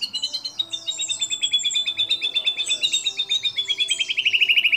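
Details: White-rumped shama competition song, a phrase with mimicry fills liked by contest judges: one long, rapid, rattling trill held at an even high pitch, with sweeping whistled notes layered above it.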